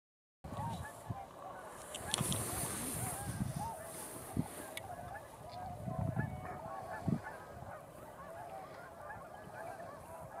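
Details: A large flock of tundra swans gathering on a pond at nightfall, after flying in throughout the twilight hour, keeps up a dense, overlapping chorus of mellow, high-pitched whooping honks, with occasional low thumps of wind or handling noise.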